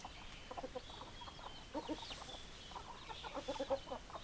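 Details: Hens clucking: short low clucks in irregular clusters, some in rapid runs, with a few faint high peeps and steady background hum.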